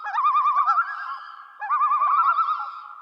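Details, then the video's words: Common loons in the wild give two bouts of their quavering, laughing tremolo, a rapid wavering note repeated in a fast run, with a brief pause between bouts. "Loon Sounds"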